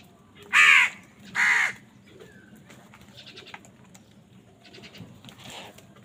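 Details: Two loud, raspy caws come back to back early on from crows squabbling over food, followed by fainter scratchy calls over a steady low background rumble.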